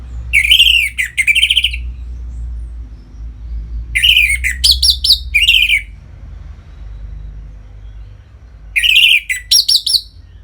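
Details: Orange-headed thrush in captivity singing ngeplong song meant to arouse other caged birds: three bursts of loud, rich whistled and buzzy phrases separated by pauses of a few seconds, with faint low hum in the background.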